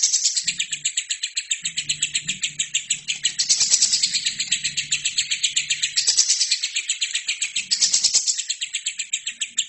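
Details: Nearly ten seconds of a lovebird chattering at full tilt, a training recording for other birds: rapid, high, pulsing chirps never pausing, with several louder, rougher swells along the way.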